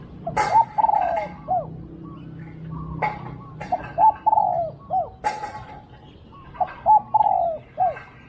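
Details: Spotted dove in a decoy-luring session, giving repeated cooing phrases: two short hooked notes, then a long, slightly descending coo and a final short note, about every two seconds. Sharp knocks and clatter sound between phrases.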